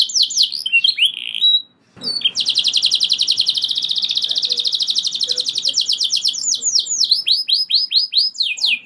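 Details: Canary singing long rolls that set other canaries singing; a few whistles, a short gap, then a sustained rapid trill of several seconds easing into spaced down-slurred whistled notes.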